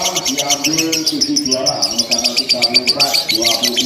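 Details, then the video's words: Lovebirds in a contest simulation, ngekek chattering nonstop: a fast stream of sharp, high, clicking notes over lower warbling and murmuring sounds. "LOVE BIRD TERBARU 2025 NGEKEK TANPA JEDA DURASI PANJANG"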